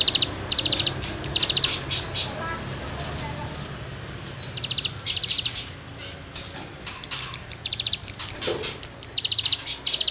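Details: Cigun in full song for songbird tutoring: sharp bursts of rapid, high, grating trills, each lasting under half a second, repeated at irregular gaps over faint background hum.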